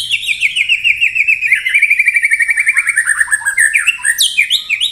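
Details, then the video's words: White-rumped shama (murai batu) in the dense rapid-fire 'tembakan rapat' song style: a long run of quick repeated chirps that slides gradually lower, then breaks into sharp rising and falling whistled notes at the end. "Tembakan Rapat Burung Murai Batu"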